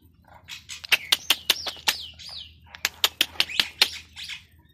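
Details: Pet Indian ringneck parakeet vocalising: a run of sharp broadband clicks and short high chirps, with a brief whistled warble between two bursts of rapid clicking.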